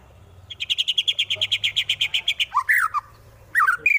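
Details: White-rumped shama from Wonosobo, Central Java, in full fighting song used to provoke rival birds: a rapid series of about twenty sharp repeated notes, then loud slurred whistles dropping in pitch, with a steady low hum behind.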